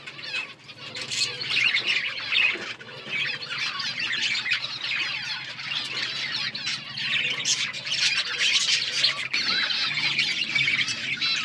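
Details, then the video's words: Several budgies chatter continuously in overlapping high, buzzy warbles and squeaks for the whole stretch, with no pauses and a faint low hum underneath. "Beautiful budgies colour birds chirping sounds"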